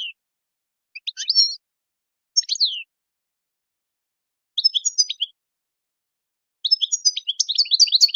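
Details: European goldfinch delivering the wild khlawi song style: short separated phrases of sharp high chirps and descending notes, building into a continuous fast twitter near the end, in clean quiet surroundings.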